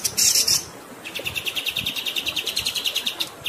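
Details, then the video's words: Grey-headed Canary-flycatcher rolling song over a background of flowing water: an opening harsh, hissy burst, then a long, even string of rapid, high, ticking notes. "MASTERAN KAPAS TEMBAK GACOR Ngerol Durasi Panjang"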